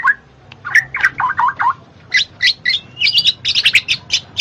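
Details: Black-naped oriole song used to encourage lazy birds to sing: a few short upslurred notes, a run of lower chattery syllables, then a burst of high rapid chips and twittering.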